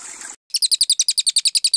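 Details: White-rumped shama training song: a short harsh scratchy burst, a silence, then a crisp series of high, evenly spaced double notes, about eight per second.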